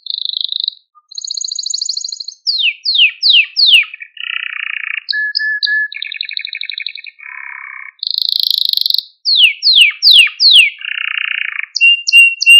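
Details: Canary singing, meant to train and rouse young canaries: a varied chain of tours, including high trills, groups of falling swoops, low buzzy rattles and soft level whistles, with brief pauses between phrases.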